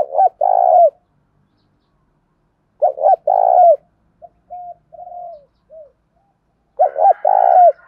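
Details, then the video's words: Spotted dove lure call to provoke cooing: gruff double-note coos ending in a long buzzy note, repeated three times, with soft, lower, short coos from a second bird between phrases. "Chim cu gáy cu gáy kích bổi, tiếng cu gáy mồi thuần gáy gọi và thúc căng lửa"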